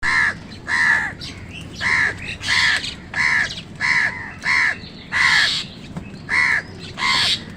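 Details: Wild crows calling while fighting with other birds over food: harsh, nasal caws repeated roughly every 0.7 seconds in a steady series, with a low background rumble.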